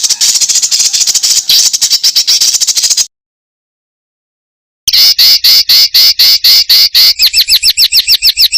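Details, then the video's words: Songbird on a master recording for training contest birds, with dense 'tembakan rapat' song material: rapid high chattering notes for three seconds, a sudden cut to silence, then fast sharp repeated bursts ending in quick rising whistled strokes. "BURUNG MASTERAN FULL ISIAN UNTUK BURUNG LOMBA"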